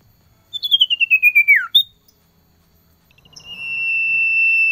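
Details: Winter recording of a male cipoh, the Common Iora, calling to a female: a fast series of about ten descending whistled notes sliding lower, then a pause and a long level high whistle.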